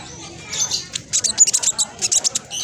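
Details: Black sunbird of the spotted type, a lure for birds that won't sing, giving a fast, tightly packed run of very high ticking, squeaky notes after a quiet start.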